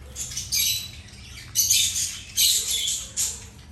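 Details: Several birds chirping while eating, giving bright, harsh chirp bursts roughly every second, with quieter twittering between them.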